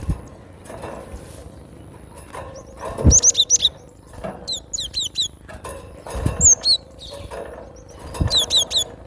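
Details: Cinereous tit singing outdoors in nature: repeated clusters of thin, sharply falling whistled notes in quick succession, phrases returning every few seconds, with occasional thumps and a faint steady tone.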